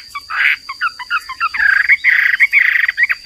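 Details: Hwamei (Garrulax canorus), a popular cagebird called wambi or hoa mi, in a tutor recording of persistent singing: choppy, hurried bursts of short notes with rougher, buzzier stretches, over a steady thin high electrical tone.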